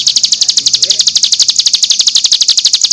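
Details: Cigun in the 'nembak' style, a tutor recording for training young birds: a fast, even train of high, buzzy pulses repeated about ten times a second without a break, sounding like a rattling chatter.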